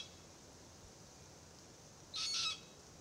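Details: Immature Forest Red-tailed Black-Cockatoo (Calyptorhynchus banksii naso), threatened, perched in a Marri tree near its family while the adults feed on green gumnuts, calling incessantly: a single harsh, rasping, buzzy call about half a second long after quiet.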